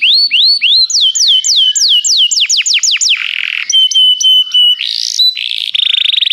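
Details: Canary song used to encourage a canary to sing: rhythmic rising and falling whistled slurs, a harsh burst, steady level whistles, and a closing buzzy trill.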